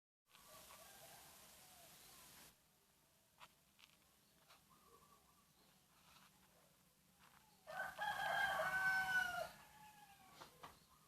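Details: Junglefowl from Aceh, recording used as a lure for birds: after muffled rustling and scattered clicks, a short harmonic crow-like call rises near the end, with soft knocks around it.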